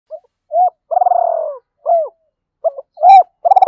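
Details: Decoy spotted dove giving the two-ending 'gáy gọi hai hậu' call meant to provoke wild doves: short arched coos, a long rolled falling note, then more clipped coos in quick succession, no other sounds.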